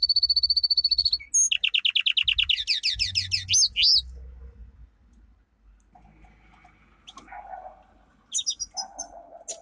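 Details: Domestic canary song for training: a level rapid trill, then a lower rolling trill of rising strokes, followed by quieter mixed lower chirps and a return of high looping notes near the end.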